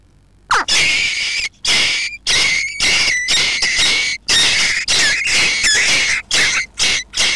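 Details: Jackdaws nesting under a roof give harsh, raspy, high squawks in a rapid series of about a dozen bursts, each under a second, separated by brief pauses.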